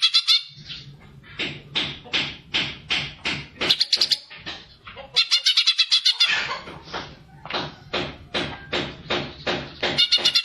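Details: Greater green leafbird in full fighter song to stir other birds, especially young or untrained ones: sustained high-pitched chattering phrases of rapid repeated notes in pulsing bursts, with brief breaks, over a faint low hum.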